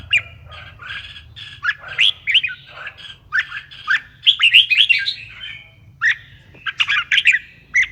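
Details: Red-whiskered bulbul singing to stir other bulbuls into song, a chattering run of clear warbled whistles and quick upslurred notes in uneven clusters with short pauses, against faint low background hum.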